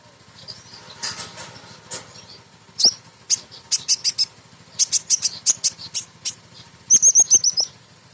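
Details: Female Crimson Sunbird song, used to lure birds into singing. Rapid, excited high chirps, about three or four a second, end in a quick descending series of ringing whistled notes over a low steady hum.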